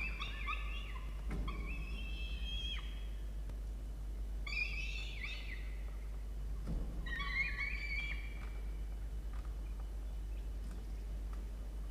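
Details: Peregrine falcon nest box, Orange, New South Wales, Australia, 1 November 2021, during chick feeding: three drawn-out nasal wails, each with a slightly wavering pitch, separated by pauses, over a steady low hum.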